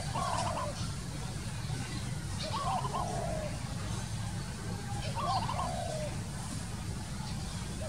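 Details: Wild spotted dove cooing. Three similar lilting phrases of low, warbled coos come about every two and a half seconds against constant heavy background rumble.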